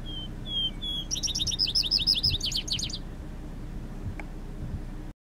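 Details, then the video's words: A Vesper sparrow sings near Caledonia-Elmsthorpe Community Pasture SW of Milestone, southern Saskatchewan, Canada, on 3 June 2014. It opens with two or three clear slurred whistles, then a fast tumbling trill of sweet high notes, with low wind rumble. "Vesper Sparrow Song"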